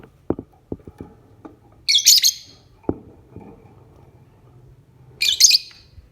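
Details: Lovebird sound for the morning, used to lure other lovebirds into calling. Two short, shrill, very high chirping bursts about three seconds apart, with soft knocks and clicks from a cage in between.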